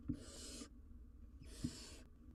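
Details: Owlet of a wild barn owl, watched on a live cam with a jird too big to eat easily. Two rough hissing bursts, each about half a second, come a second apart. Each starts with a soft knock.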